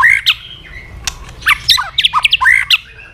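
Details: White-rumped shama in fighting song, stimulated to sing while flicking its tail: a fast, varied outburst of harsh chattering notes mixed with short whistles, dense and jerky throughout.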